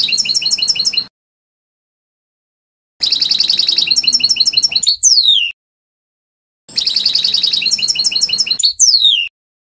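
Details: European goldfinch singing in the trnan song style, recorded for a 2020 CD; three bursts of rapid, high twittering and buzzy trilled notes, the later two ending in quick descending whistled slides, separated by brief silences.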